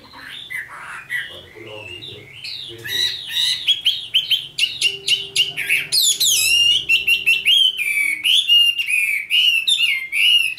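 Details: A newly selected red-whiskered bulbul sings varied warbling whistles that swell into a dense, rapid stream of sweet, wavering notes, with a faint steady hum underneath.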